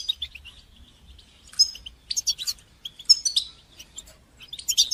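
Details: Goldfinch singing in the bitbita and sitsita styles to encourage other goldfinches to sing. Thin high notes are followed by bright, buzzy twitter bursts that rise and fall, on a quiet background.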